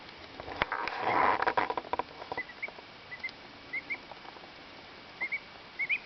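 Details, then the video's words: Preening two-week-old duckling, content, gives soft, high, paired 'happy peeps' after a burst of rustling and handling noise, repeating every second or so. "Our Duckling makes happy sounds whilst cleaning"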